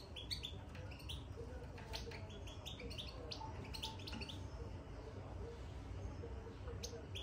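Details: Caged European goldfinch twittering softly (bitbita) after entering its cage; scattered short high chirps and trills over a steady low hum and background noise throughout.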